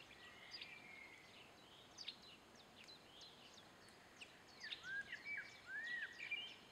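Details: Two hawfinches calling: sharp, high, clipped ticks that come irregularly and in quick bursts. Other birds add slurred, arching whistles, especially toward the end, over a steady outdoor hiss.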